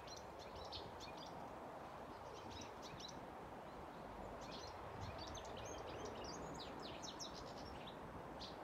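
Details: European goldfinches at a bird feeding station on Tallrotsgatan, Haga, on 10 March 2022 give bursts of high, tinkling, twittering song in quick runs, partly buried under a steady broad rushing noise; European goldfinch.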